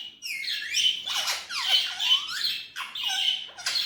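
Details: Indian ringneck parrot talking: a run of high, raspy, word-like phrases with squeaky harmonic syllables and short breaks between bursts, in a quiet setting.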